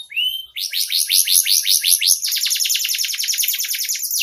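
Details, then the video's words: Bright canary song for use as a master: a short whistle, then a dense, fast, rolling trill of descending chirps lasting several seconds. "Masteran kenari super mewah. Suara Jernih"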